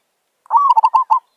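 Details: Wild zebra dove (merbok) attracted by decoy luring gives one call: a rising coo leading into a smooth held note, then four clipped, evenly spaced staccato notes, about three-quarters of a second long.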